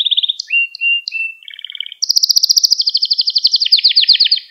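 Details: Canary lesson song for training young canaries, short repeated chips and whistles followed by an intense, very fast rolling trill lasting over two seconds, high and bright throughout.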